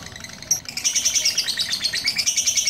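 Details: Long-singing lovebird after one blow from a handler in Pucakwangi, Pati: a low hiss, then a sudden start of high, fast, trilled chattering that carries on steadily.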